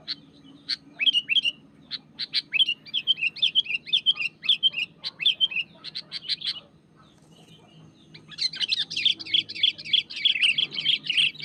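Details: Wild sooty-headed bulbul in full, vigorous song pressing a rival: a long series of lively whistled phrases repeated in rapid bursts, a short pause, then a dense, buzzy chattering flurry of notes, with a low hum underneath.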